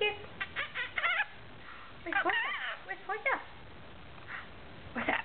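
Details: A pet rainbow lorikeet babbles in rapid clicking runs and harsh, warbling chatter with wavering pitch, broken by brief quiet gaps.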